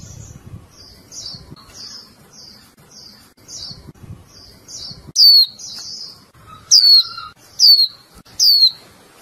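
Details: Caged female Japanese white-eye calling to urge the male into song: first a series of soft, high buzzy notes, then four loud, piercing, falling chirps in quick succession, with a faint lower whistle.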